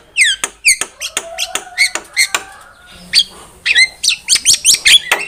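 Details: Javan myna song used as a trapping lure and training tutor: a busy run of sharp clicks, harsh chatters and high whistled notes with falling harmonic slurs, delivered in quick repeated bursts.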